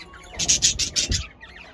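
A male budgerigar gives a quick burst of scratchy, high chirps while courting.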